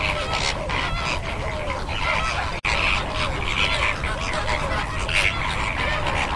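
Greater flamingos in a dense flock give a steady chorus of overlapping goose-like honks and nasal gabbling, with no pause, over a low background rumble.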